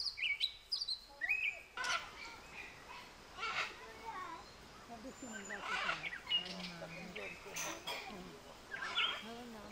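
Macaws give harsh, raspy squawks in short bursts every couple of seconds, over thin whistled chirps from other birds and people talking.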